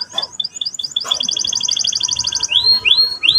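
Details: Canary song used to provoke a young canary to sing: quick high chips, then a rapid rolling trill, ending with three rising whistled sweeps. Quiet, clean background.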